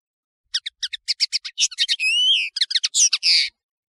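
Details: European serin, known as nino in Algeria and camachu in Morocco, singing for a tutoring recording used to train birds: quick high ticking notes build into a fast jingle, with a long sweeping buzzy trill in the middle, then more rapid chips.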